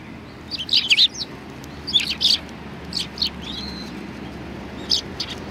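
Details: Sparrows visiting to be fed at a Tenmangu shrine, 25 November 2020; short groups of two or three sharp chirps separated by pauses, over a quiet low rumble.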